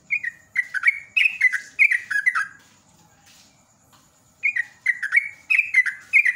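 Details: Yellow-vented bulbul (trucukan) used as a lure recording, singing in ropel ngecruk style: two fast bursts of rich, bubbly descending whistles separated by a two-second pause, over a constant faint high hum.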